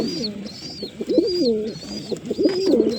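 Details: Throaty pigeon coos with wavering, rolling notes rise and dip. A clear high whistled arc repeats steadily over them.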